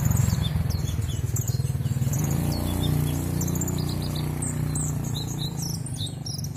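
A sunbird sings a fast stream of very high, thin chirps and twitters, several notes a second, over a steady low rumble.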